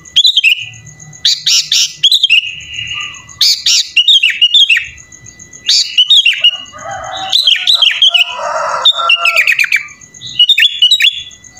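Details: Sooty-headed bulbul singing vigorously in the 'full isian' style, a song filled with added phrases. Loud bursts of sharp whistled and chattering notes come in rapid clusters, with pauses between them, and a rougher warbling passage near the end.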